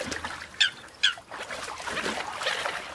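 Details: American coot calling during a fight: two sharp, nasal honking notes about half a second apart, followed by a rough, busy background of softer calls and noise.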